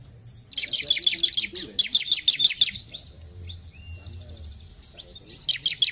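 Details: Bar-winged prinia (ciblek) singing: rapid trains of high, clipped chirps, six or seven per burst, three bursts with a quieter gap in the middle; low background hum.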